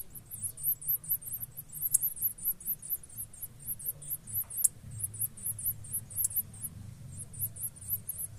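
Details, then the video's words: Chicks of the blue-black grassquit calling while being fed by both parents, continuous high, thin, quavering cheeps repeated quickly and evenly, with a faint low rumble behind. "Tuziu - Pássaros alimentando seus filhotes."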